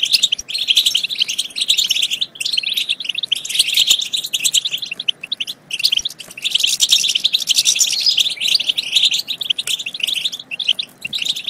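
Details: European goldfinch song, played to stimulate goldfinches to sing and mate: a steady wash of fast, tinkling chirps and trills with short dips in loudness around two and five seconds.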